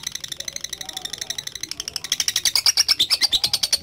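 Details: Rapid, high, chattering trill of a lovebird in long ngekek style for bird training, starting softer and growing louder and brighter in the second half.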